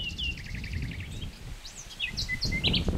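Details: Common nightingale phrase: a quick string of repeated wavering notes, then scattered bright whistles and sharp chirps, over low rumbling noise.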